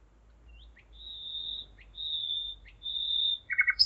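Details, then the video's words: Nightingale at 01:55 at night, 5 May 2017, Zeitz, Germany: three long, pure, drawn-out whistles rising in strength, each set off by a quick upslurred note, then a sudden loud churring burst. "Gesang der Nachtigall - Song of the nightingale"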